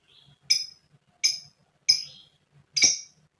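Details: Female lovebird giving four sharp, short metallic chirps at irregular intervals, used to stir other lovebirds into calling.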